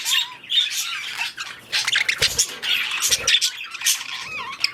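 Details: Budgerigars during mating and breeding, a dense chattering warble of squawks, clicks and short whistled notes, with brief gaps near two and three seconds.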